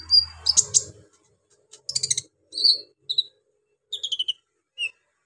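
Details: Brown-throated sunbird singing rough, harsh material intended to provoke rival sunbirds. Sharp high chirps and buzzy bursts come in short, separated clusters, including a quick stuttered series and thin descending whistled notes, with brief silences between phrases.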